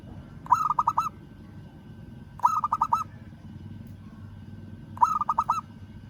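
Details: A local zebra dove calling a rival repeats a tight phrase of about five fast cooing notes three times, at intervals of roughly two seconds, against steady low background noise.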